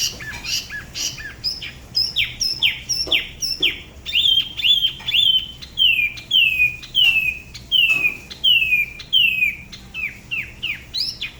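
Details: Spot-throated babbler from Da Lat, La Ba river, singing solo in a style said to differ from other regions: a run of clear whistled notes dropping from high to lower pitch, repeated about every half second, with sharper chips early on.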